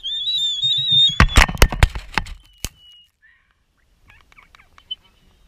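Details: Black-footed albatross on Midway Atoll feeding a chick. A loud high whistle opens, then a rapid run of sharp clacking bursts over about a second and a half. Faint scattered clicks follow after a pause.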